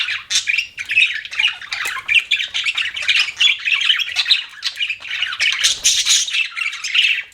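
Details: Budgerigars chirping: a continuous busy chatter of scratchy warbles, squeaks and harsh chirps overlapping without pause, typical of several birds calling together.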